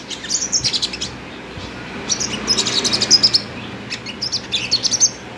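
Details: A kept five-coloured sunbird sings high, thin twittering phrases in three quick bursts, with sharp metallic chips run together, over faint background hiss.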